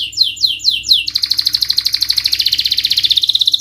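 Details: Lure song of a canary to get a quiet or stressed bird singing: several falling sweeps followed by a long, rapid, evenly pulsed high trill.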